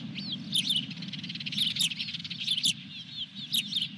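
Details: Osprey on its nest at Dunrovin Ranch, 23 June 2021, with a fish delivered: series of short, arched, high whistled chirps roughly once a second, mixed with dry clicks and a constant low mechanical hum.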